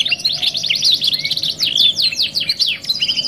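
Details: Canary, a domestic songbird, singing a "2 in 1" training (masteran) song: fast runs of high chirps and swooping notes, then a sustained rapid trill near the end, with a steady faint low hum underneath.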